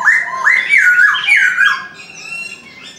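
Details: Chinese francolin giving its morning call: a loud, hoarse series of rolling, up-and-down syllables for nearly two seconds, fading into softer high chirps.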